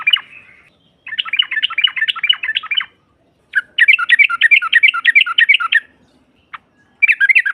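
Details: Female sooty-headed bulbul, used to make rival birds reply: two long bursts of fast, rattling chirps separated by a silence, a lone note, then the chatter starting again.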